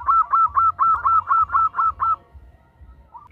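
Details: Zebra dove hen calling to a male, giving nine loud, evenly spaced arched coos in about two seconds, followed by quiet with a faint hum.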